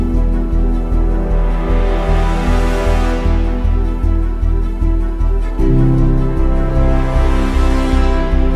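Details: Soft cinematic music with a steady pulsing low beat and sustained chords, no animal voice heard.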